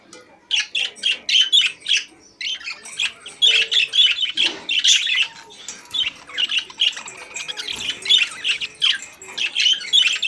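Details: Several caged budgerigars singing: a dense, continuous run of rapid, bright warbling chatter mixed with sharp squawks, with brief pauses and a short lull near the start.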